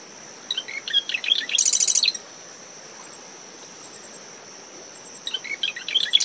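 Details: Early-morning marsh wren in dune vegetation near its nest, brisk post-storm winds: two song bouts, each of quick ticking notes running into a dense buzzy trill, separated by about three seconds of wind and surf with a continuous high cricket drone.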